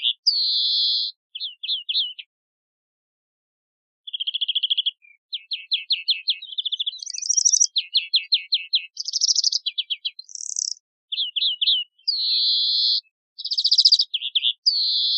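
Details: European greenfinch song: rapid twittering trills and dry rattling series mixed with drawn-out buzzy wheezes, delivered in bursts after a brief pause early on, with high sharp notes scattered throughout; a clean recording with no other sounds.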